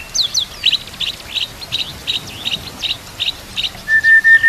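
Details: Shama song used for training, carrying canary and kapas tembak phrases: a series of short, high, evenly spaced chip notes, roughly three per second, ending in a long, steady whistled note.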